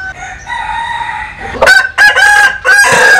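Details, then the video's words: Vietnamese or American Sil cock heard first as a faint distant crow, then a loud close crow broken into three strident, harmonic bursts. "Tổng Hợp Tiếng Gà Gáy/ Synthesize Cock Crows"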